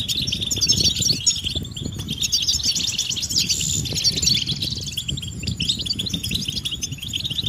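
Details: A crowd of European goldfinches giving mating and readiness calls to stimulate males to sing; rapid overlapping high chirps and liquid twitters, with constant low rustling in the background.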